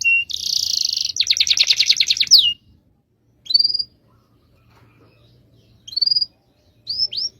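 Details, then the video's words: Canary singing a rolling song with a dense buzzy trill breaking into a fast rattling roll, then silence broken by scattered single rising whistles. "MASTERAN KENARI NGEROL DURASI PANJANG"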